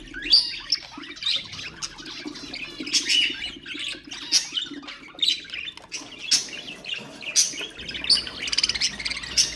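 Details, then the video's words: Budgerigar chatter played to stimulate other birds: rapid warbling squeaks and scratchy chirps with high sharp notes, steady for nearly ten seconds. "اقوى أصوات طيور البادجي طيور الزينة أصوات تحفيز الطيور"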